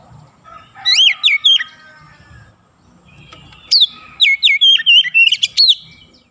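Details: Kacer, or Oriental magpie-robin, singing the nembak and ngerol style. A short whistled phrase is followed by a pause, then a longer burst of sharp rising whistles and quick trills over a faint low rumble.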